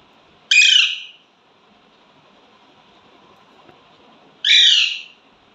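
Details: A pet Indian ringneck parrot gives two harsh, raspy, high squawks about four seconds apart, each under a second long, against a faint background hum.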